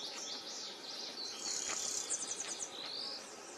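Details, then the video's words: Wild Yellow Warbler in its natural habitat singing high, thin, rapid notes, with a quick run of bright chips in the middle, over a steady hiss of background insects. "Suara Burung Yellow Warbler"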